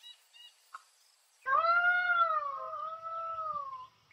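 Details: Peacock giving a sharp, abrupt cry, a long wailing note that holds steady and then slowly falls, after a few faint short notes; such cries are believed to come before a thunderstorm or rain.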